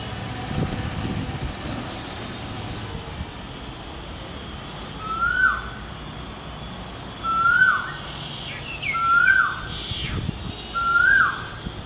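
An Asian koel gives four loud, rising 'ko-el' notes about two seconds apart, over a steady background hiss and faint chirps from other birds.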